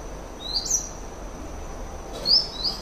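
Brown Dipper giving short, sharp, rising high notes: two quick ones, a pause, then two more. A steady thin whine and low water rumble underneath.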